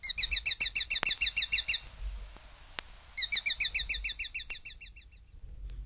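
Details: Sharp-shinned Hawk from eastern and central North America giving two rapid series of high, shrill kek notes, about fifteen to a burst, with a few clicks between bursts.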